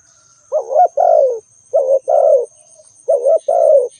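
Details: ['Three quick coo phrases from a spotted dove, each a short wavering note followed by a longer falling one, closely spaced within four seconds; a faint high whine is constant.']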